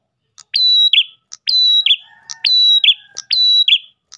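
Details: Ash tailorbird lure song aimed at other tailorbirds. Four phrases of a short tick, a long level whistle and a burry drop, about a second apart, with a faint low hum in the background.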